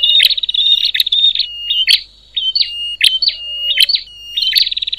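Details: Loud, high bar-winged prinia chatter said to excite other prinias: rapid trills at the start, then separated short bright notes and sharp clicks, with pauses before a closing burst of quick chirps.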